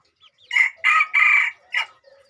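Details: Crossbred decoy red junglefowl crowing: a short, loud crow of four bursts over about 1.5 seconds, two long strained middle notes framed by briefer opening and closing syllables, with faint chirps before it and quiet after.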